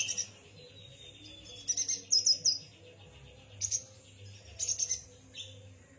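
A yuhina gives high, thin twittering chirps in short rapid clusters, separated by brief pauses, over a faint low hum.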